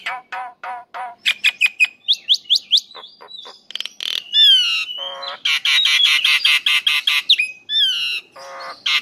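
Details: Male Nias hill myna calling to a female: a run of short nasal harmonic notes, then quick rising whistles, a drawn-out slurred whistle and dense loud bursts of harsh, chattering squawks toward the end.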